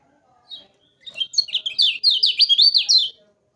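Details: Energetic kecial kuning, or lemon-bellied white-eye, in a tutor recording for caged songbirds. One soft note is followed by a two-second rush of bright, high, rapidly alternating rising and falling whistles, about four per second, in an otherwise quiet background.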